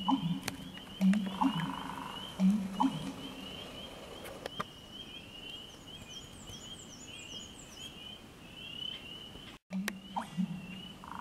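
A bittern gives deep, gulping low notes in short bursts every second or so, over a steady high insect-like whine and faint chirps.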